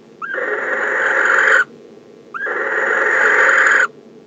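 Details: A male barn owl in his nest box greets the arriving female on December 15 with two hoarse, breathy screeches. Each starts with a short upward squeal, holds steady and harsh for about 1.3 seconds, then stops abruptly.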